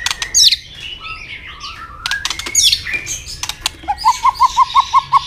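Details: White-rumped shama tail-clicking fighting song with double notes, meant to provoke a rival: high slurred whistles and sharp clicks, ending in a steady series of seven evenly spaced mid-pitched notes about every quarter second.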